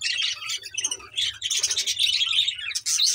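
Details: Pet budgerigars on 24 May 2024 produce a busy stream of scratchy chirps and squawky notes, several birds overlapping with brief pauses and a low background hum.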